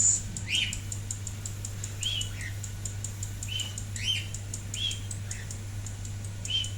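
A lorikeet gives short, rising chirps about twice a second, with faint high ticking and a steady low hum underneath; no talking is heard.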